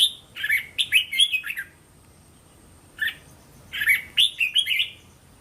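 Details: Red-whiskered bulbul, tor-style training song: two clear bursts of lively whistled, slurred notes, the first about five notes long, then a pause of over a second before a second four-to-five-note phrase.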